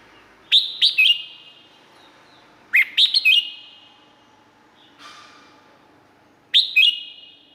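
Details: Thai Red-whiskered bulbul giving three bubbly phrases of three to four quick whistled notes each, spaced about two to three seconds apart. A faint softer note falls between them, and the surroundings are echoing.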